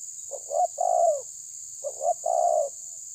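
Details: Spotted dove of the terkukur tabir type pressing a rival: two coo phrases, each a short stuttering double note then a longer loud falling coo, over steady high hiss.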